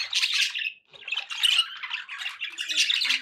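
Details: Budgerigar calls come in loud squawky bursts: a harsh warble, a short pause, then renewed fast chattering chirps that run to the end.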